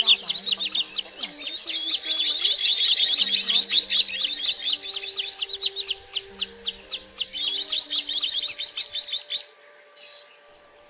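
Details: Common greenshank call used as a lure for night netting of migrating shorebirds: a dense run of sharp, high chipping notes, many per second, in two long bursts over a faint low hum.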